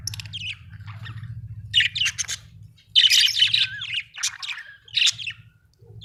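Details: Australian budgie chirping: clusters of rasping, buzzy notes and quick squeaks in uneven bursts, over a constant low electrical hum.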